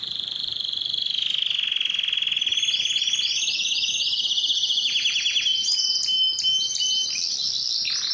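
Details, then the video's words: Belgian canary singing a continuous run of rapid trilled phrases, each tour a quick repeated note series, shifting from a steady mid-high trill to higher, faster rolling tours and a sharp whistled note near the end. "som do canario belga"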